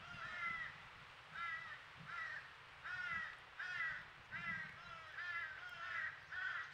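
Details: Fledgling crow crying all day at a squirrel feeder in Nova Scotia, Canada, heard at a distance: steady series of nasal, wavering caws, about seven in six seconds, over a low rumble of background noise.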